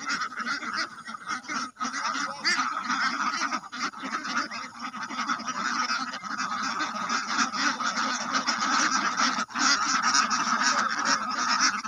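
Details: A crowded flock of ducks and drakes calling at once, with rough, honking quacks piling over each other in a continuous din, briefly dipping twice, and a man speaking right after.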